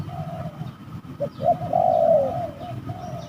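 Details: Spotted doves fighting during decoy trapping at a rather eerie site: a few short low coos, then a long, rough, level cooing note held almost a second, over a constant low rumble and faint high chirps from other birds.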